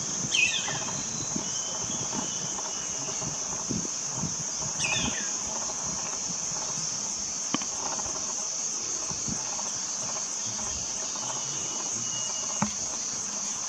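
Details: A black baza, one of a flock of five resting on a treetop at Doi Chorakhe, Mae Chan, Chiang Rai, on 14 March 2021, gives two brief, high, squealing downslurred calls about four seconds apart over a shrill insect drone.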